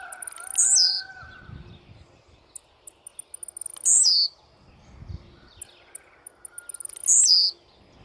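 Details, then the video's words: Three sharp, descending buzzy bursts from an aggressively singing blue-black grassquit, evenly repeated about every three seconds; a steady faint whistled tone lingers near the start and soft clicks fill the gaps. "TIZIU MUITO AGRESSIVO CANTANDO!!!"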